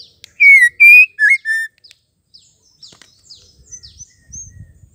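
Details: Female white-rumped shama giving a call meant to make males sing: one loud four-note whistled phrase of falling, rising and short slurred notes, followed by soft high chirps and faint low thumps.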